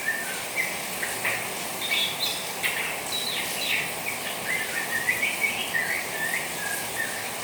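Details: Young white-rumped shama chattering in response to the sound of rain: quick, scattered twittering notes and short whistles, irregular and varied, set against a steady hiss of falling rain throughout.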